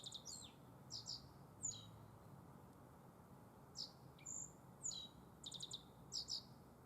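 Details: Black-faced bunting (Emberiza spodocephala) singing in spring at Tenjinyama green space, Sapporo, Hokkaido, Japan: high, thin phrases of quick chips, buzzy notes and short trills, roughly every second, over a low steady rumble.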